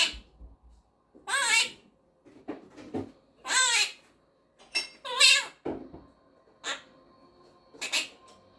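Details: Pet monk parakeet (Quaker parrot) chatting and singing with its owner; nasal, wavering voice-like phrases with rising and falling inflection, separated by short clicks and pauses, repeated four times.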